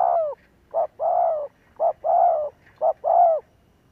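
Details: Spotted dove lure call to make doves coo: three quick pairs, each a short low coo followed by a longer, slightly descending coo, delivered about once a second.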